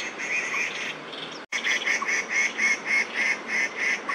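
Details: Two male Crested Goshawks quarrel over territory in Daan Forest Park, 30 September 2022, giving a fast, even series of loud, harsh kek calls, about three or four per second, broken by one brief silence.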